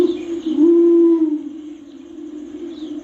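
A Torresian imperial pigeon gives a deep, booming coo that swells after half a second, then fades into a long, low, steady hum.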